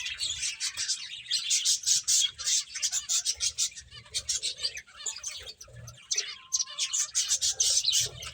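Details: Eating finches keep up a steady stream of high, rapid chirps in pulsing groups, with a short quieter patch midway and faint low tapping below.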